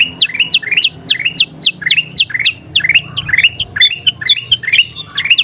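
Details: Kutilang emas bulbul singing gacor, used as masteran for training birds to sing: rapid bright chirped notes sweeping up and down, delivered in quick repeated phrases about twice a second, with low background hum.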